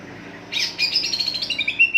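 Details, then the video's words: Greater green leafbird song played as a lure to set other leafbirds singing: a sudden loud rapid chattering run of high, rich notes, ending in clear sustained whistles. "pancingan cucak ijo dijamin NYAUT ngikut gacorrrr burung bahan"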